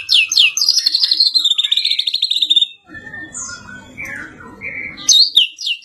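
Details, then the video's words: Medan-type white-rumped shama with blorok plumage, described as exotic, singing rapid series of high, buzzy repeated notes that slide gradually downward for nearly three seconds, then a quieter stretch with a few short whistles over low background noise, before another loud burst. "Murai medan blorok"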